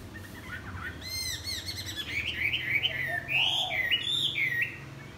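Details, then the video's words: Chinese hwamei greeting the morning with wing-flapping: soft whistles build into loud, bubbling, warbled phrases with quick up-and-down slurs and a few high chirps. "Hoạ mi đập cánh chào buổi sáng"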